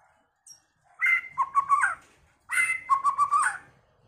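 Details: White-rumped shama, a first-season bird, delivering two rich phrases of whistled and warbled notes, each about a second long, mixing sustained whistles with quick rolling notes, separated by a short pause.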